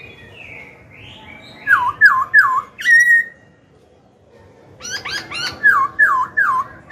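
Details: Caged Black-throated laughingthrush singing to stir rival birds and coach young ones. Looping, U-shaped whistles repeat in quick triplets, with a pause, then a burst of sharp chattering notes before the whistled loops return.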